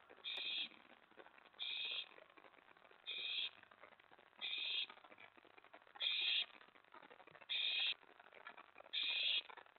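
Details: Owlet in the nest around 1:15 to 1:20 AM on May 24, 2017, amid mouse and rat deliveries. A regular series of seven short, harsh, hissing screeches, evenly spaced about every one and a half seconds.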